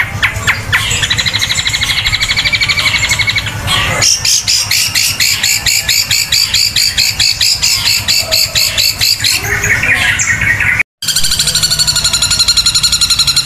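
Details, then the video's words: Long-tailed shrike in loud, sustained song with beak opened wide: rapid, harsh chattering phrases of high repeated notes, about four per second, changing pattern every few seconds over a faint low hum. "Cendet tembakan kuntilanak super dahsyat panjang keras sampai buka paruh lebar"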